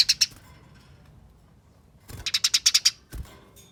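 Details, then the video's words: Eurasian tree sparrow fighting chatter played as a lure so other sparrows start calling: two sharp notes, a quiet pause, then a quick rattling run of harsh chirps ending in a thump. "Pancingan Gereja Tarung Nyerecet Speed Rapat Bikin Gereja Lain Ikut Bunyi Gacor"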